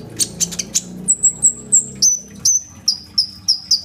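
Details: Sunbird singing energetically in captivity, phone-recorded: a few scratchy, buzzy high bursts open, then a string of piercing, downslurred whistles at a steady, rapid pace, with a low background hum.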